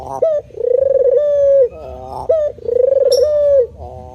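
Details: Spotted dove repeating its coo phrase twice, about two seconds apart. Each phrase is a short clipped note followed by a long, low, pulsing coo that evens out and drops at the end.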